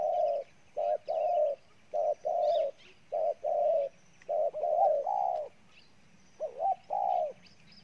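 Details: Spotted dove, a wild bird giving a very aggressive bow-coo: soft, low, hollow coo notes in short bursts, some rising or doubled, with faint thin chirps of small birds behind.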